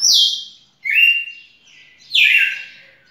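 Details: Red-cowled cardinal singing three loud phrases: a high whistle sliding down, a flat buzzy note, then a descending slurred note, each fading with echo into a quiet background.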